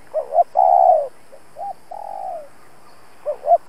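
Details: Spotted dove decoy calling to provoke rivals: a loud two-note lead-in and a long falling coo, then softer single notes and a quieter long coo, before the loud phrase begins again.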